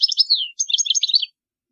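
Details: European goldfinch tutoring song for young birds, a short burst of bright liquid twitters with a downslurred note midway, then a quick chattering run.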